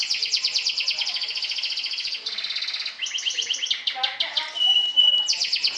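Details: Champion Atlantic canary trilling to stir up and defeat rivals, long rapid high trills changing speed and pitch, a clear sustained whistle near the end, then another fast rattling trill.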